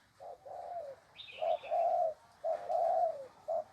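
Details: Spotted dove kept chained by the leg, cooing in low mellow notes: a short coo followed by a longer drawn-out falling coo, repeated about three times, with a brief higher rasp and quiet background.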